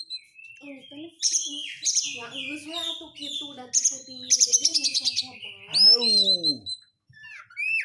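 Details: Kacer, the Oriental magpie-robin, in a dense crecetan lure meant to set quiet birds singing: buzzy high bursts and slurred whistles, a rapid pulsing stutter around four seconds, then loud downslurred swoops.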